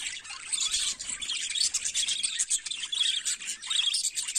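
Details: Morning song of budgerigars: dense high twittering with quick repeated chirps and squeaky warbles, about seventy-seven notes a minute standing out from the continuous chatter.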